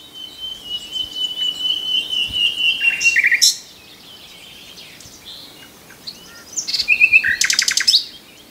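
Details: Common nightingale singing: a long, pure, high whistled note that holds steady, then a sharp burst of rapid clicking notes and, after a pause, a fast rattling trill of repeated strokes. Faint chirps of other birds are in the background.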